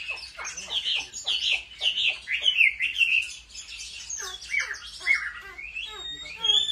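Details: Chinese hwamei in competitive song during home training, delivering loud, varied whistled phrases that rise and fall, with short pauses and a few sharp, clipped notes in between.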